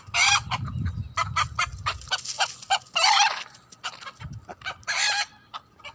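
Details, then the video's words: Hen producing loud, raspy squawks and bursts of rapid clucking, notes uneven in spacing, with some low rumbling noise underneath. "Funny Hen Noises"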